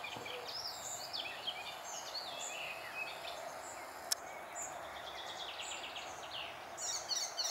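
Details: Icterine warbler song in June 2021: a fast, varied run of sharp chirps, whistles and harsh notes at high pitch, with a steady background hiss.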